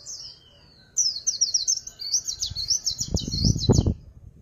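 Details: White-eye singing in the 'líu pha chòe' song style: a rapid, high, jumbled warbling run of twittering notes starting after a second of quiet, with low dull thumps near the end.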